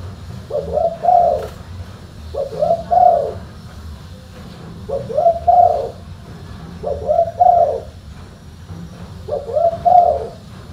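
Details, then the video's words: Tekukur, the spotted dove, giving mellow cooing phrases, each a short rising then falling hoot sequence, repeated about every two seconds against a low steady hum. "TEKUKUR SUARA FULL BASS"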